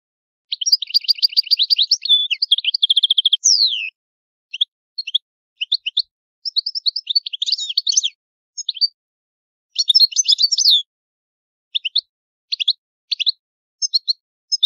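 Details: Old-style song of an Italian European goldfinch: it opens with a rapid rattling trill and a sweeping slurred note, then breaks into scattered short twitters and bright chirps separated by brief pauses, with a clean, quiet background.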